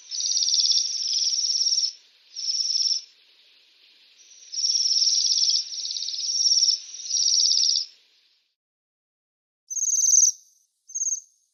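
Bohemian waxwings give high, thin, buzzy trills, several overlapping in long ringing bursts, then a pause and two short sirrr notes.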